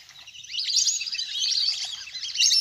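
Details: Duck flock, large and playing on water, a natural lure recording used by hunters; chorus of shrill squeaks and twitters builds from quiet to a dense, continuous chatter.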